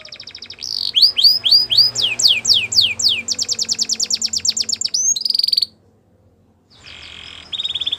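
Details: Training song of a Belgian canary: quick repeated downward-sweeping whistles give way to a long rapid rolling trill and a buzzy burst, a brief pause, then more harsh buzzing trills.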